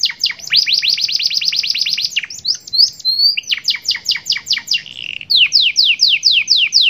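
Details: Domestic Atlantic canary with a 'cengkok super mewah' song: a long rapid rattling trill, a few rising slurs and a flat whistle, then sharp clipped chips and a row of falling whistled sweeps.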